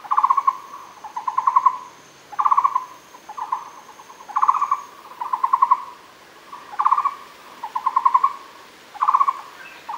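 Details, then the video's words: Repeated doubled phrases of fast, trilled hollow notes from a Muller's barbet at Fushan, about one pair per 1.3 seconds, steady and even, with a thin high whine briefly audible behind. "Muller’s barbet Megalaima oorti, Fushan"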